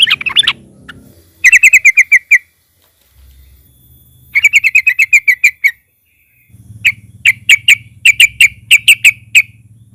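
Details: Yellow-vented bulbul in 'ngalas' style singing, used to prompt other bulbuls: separate trilled bursts of about eight repeated, ringing notes, with pauses between bursts and a faint low hum underneath.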